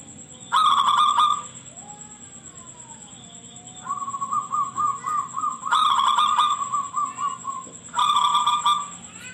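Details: Shrill local zebra dove used as a lure recording to get other zebra doves calling back. Three bursts of fast, stuttering coo notes are heard, with a softer sliding whistle-like tone between them.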